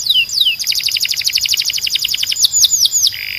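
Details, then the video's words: Canary singing loudly: a high descending slur, then a fast, even roll of repeated high notes, closing with several sharp downward-sweeping whistles and a brief buzzy note. "Ultimate Canary Singing Compilation – Loud, Clear & Relaxing Sounds"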